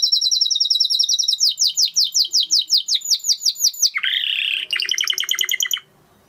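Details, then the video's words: Song of a Spanish Timbrado canary: a quick rattling trill shifts into slower, spaced downward-sweeping notes, then a harsh buzzy burst and a final rapid chattering trill before stopping. "Canary Sound Effect - Canary Singing Video"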